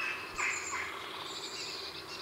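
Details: Close recording of a grey heron at its heronry in the afternoon, giving a single hoarse, grating squawk, followed by faint high whistles and chatter of jackdaws and a blue tit behind.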